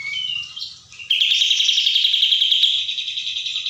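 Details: Sooty-headed bulbul singing in the 'tembak' style: a brief high whistled note, a short pause, then a long, fast, buzzy trill held at one pitch for over two seconds.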